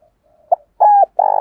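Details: Spotted dove used as a lure to provoke others, giving a low soft coo: a brief note, a sustained mellow coo, then a rolling, slightly pulsing coo, clear and close in a quiet setting.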